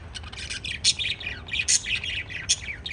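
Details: Pet lovebirds chirping: a busy, overlapping chatter of short high chirps and sharp squeaks, with louder accented notes every half second or so over a soft background hiss.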